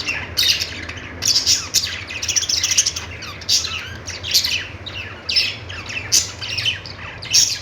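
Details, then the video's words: Budgerigars chirp and warble in quick overlapping bursts, harsh squawky notes returning roughly every second, several birds calling together. "Budgies singing |budgies sounds"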